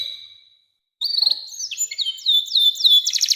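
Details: Canary song for training young canaries. A steady whistle fades, a short pause follows, then a bright trilled phrase of repeated downslurred notes that builds into a rapid rolling buzz.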